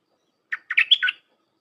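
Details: Red-whiskered bulbul singing a dense 'dok' style song, played for tutoring young birds: a short chirp, then a quick run of five bright, warbled whistles that rise and drop, all within about half a second, with quiet surroundings.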